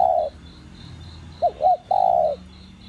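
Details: Spotted dove cooing, 'đồng gù + thúc' style, used to rouse captive doves: the tail of one coo, a pause, then two short arched notes and a sustained mellow coo, with a faint pulsing trill throughout.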